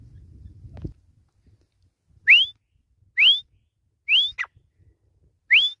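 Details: Grey francolin, called desi teetar, giving four loud rising whistled notes about one per second, each sweeping upward, after a brief low rumble at the start; otherwise quiet background.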